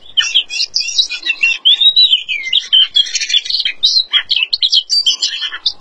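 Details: A featherless Oriental magpie-robin (Copsychus saularis) sings a fast, unbroken stream of sweet whistles, slurred rising notes and scratchy chirps, high-pitched and varied throughout.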